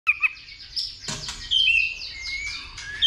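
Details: White-rumped shama singing a fighting song with continuous 'tạch' calls and tail flicking, roused by a female in the 'dìu bổi' style. Sharp opening notes, then high whistled phrases sliding between mid and very high pitch, with a low hum behind.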